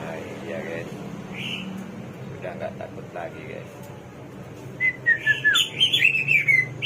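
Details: Faint, indistinct sounds fill the first seconds, then the hwamei, the samyong or garuwa of 1001 voices, breaks into a quick sequence of loud, sliding whistles and chirps that run to the end.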